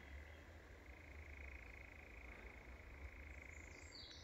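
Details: European nightjars at Wiggonholt Common, at least two birds heard, one calling in the distance, possibly from the ground; a steady, unbroken mechanical churr runs through most of the clip over a low background rumble.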